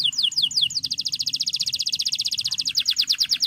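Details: Male canary in full song, a rival-calling piece used to train young canaries: a few high falling slurs open into a long rapid trill of even high notes, ending with more descending sweeps.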